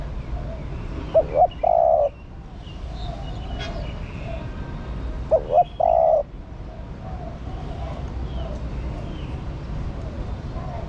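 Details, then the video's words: Spotted dove female calling to stimulate the male: two phrases about four seconds apart, each a pair of short coos and one long, slightly descending coo, over a quiet background with distant bird chirps. "Cu Mái Thúc Trống. Chim Cu Gáy Mái Thúc Trống Nhạy Bén. Tiếng Chim Cu Mái Gáy Kích Bổi Hiệu Quả"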